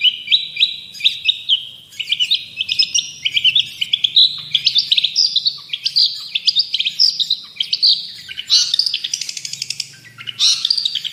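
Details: Vigorous song of a long-tailed shrike, used for training other birds: a long medley of varied high phrases, with chattering trills, sliding whistles and harsh squeaks switching every second or two, above a faint low background hum.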